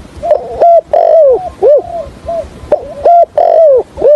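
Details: Decoy spotted dove for trapping, uttering a stuttering coo in the deep 'hạp bổi' voice: loud, harsh, arched coo notes in two similar phrases, each starting with a sharp burst and ending in falling notes.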